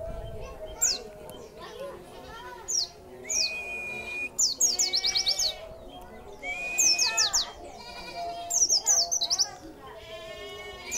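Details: Caged white-eye singing after being given extra food, with repeated high thin chirps and falling whistled notes in short bursts, plus a sustained whistle, over a low background murmur.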